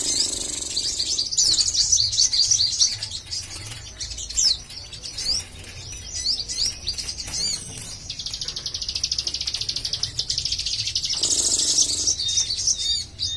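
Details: A crimson sunbird, kept alone and tested to see whether it would sing, gives only rough twittering: very high, thin, rapid chirps and trills, about three notes a second, with occasional sharper bursts over a faint low hum.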